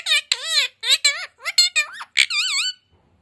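A parrot talks in high, squeaky, speech-like syllables: about six quick bursts over three seconds with a wavering, sliding pitch, then silence.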